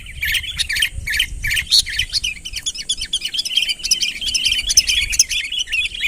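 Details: Lively, unbroken chirping of a Sooty-headed bulbul calling a rival nearer, with quick clusters of bright bubbly notes, about two or three per second, and a faint low hum behind.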